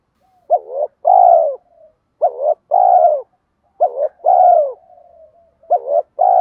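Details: Spotted dove cooing in the 'thúc gù gáy' style used as a lure for other doves. Four paired phrases, each a short wavering note and a longer drawn, falling coo, with soft murmurs between. The background is quiet.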